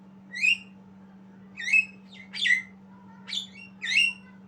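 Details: A young Javan myna learning its song gives five loud squawky chirps in four seconds, rising and twisting notes at irregular spacing, with a low steady hum behind.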